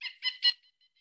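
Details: A Pileated Woodpecker, a crow-sized Connecticut bird and the region's largest woodpecker, gives three loud, nasal, clipped notes in quick succession, each ringing and slightly harsh, then fading to faint echoes; no drumming is heard.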